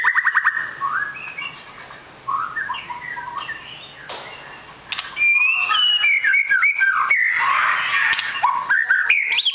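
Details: White-rumped shama, long-tailed and labelled a super fighter. A burst of rapid ticking notes opens the recording; soft phrases follow, then a loud stretch of twisting whistles and chattering trills.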